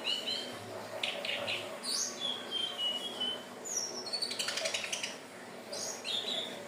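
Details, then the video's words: Hill blue flycatcher song, a recording used to lure birds: thin, high whistled phrases that slide and warble, spaced through the clip, with soft rustling clicks and a steady hiss in the background. "SUARA BURUNG TLEDEKAN BIRU/SIKATAN NINON/SELENDANG BIRU"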